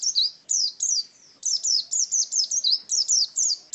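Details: Wild-type ngalas song by an Oriental white-eye, sharp high whistles in short grouped bursts, each note arching and sliding, with brief pauses between groups; quiet background otherwise.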